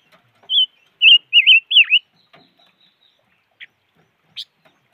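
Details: Five-coloured bird (chim ngũ sắc) calling in an opening burst of four or five wavering, rolling whistles with one deep downward swoop. Silence follows, broken only by two brief clicks.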